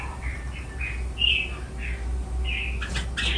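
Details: Caged red-whiskered bulbul in a "len rik" song-training session, giving a series of separate short whistled notes over steady low background noise, ending with sharper clicking chirps.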